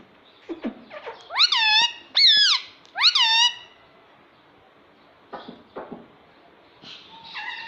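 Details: Pet talking parrot, kept at home, repeating the word "mummy": three loud, harmonic, rising-then-falling phrases in quick succession, then a pause of soft clicks and chatter, ending with a nasal drawn-out phrase.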